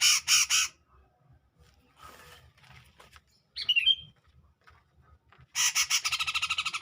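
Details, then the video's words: Grey-cheeked bulbul singing to provoke a rival, 2021: a burst of three harsh rasping notes, a quiet gap with a brief bright whistle, then another loud run of buzzy rapid pulses. "Cucak Jenggot Gacor Jernih Mancing Sang Lawan"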